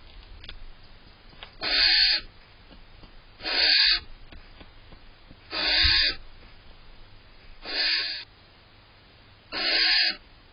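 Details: A female barn owl inside a nest box on June 18 gives five harsh, hissing screeches, each under a second and about two seconds apart, annoyed as the male eats cached prey, over a faint hum.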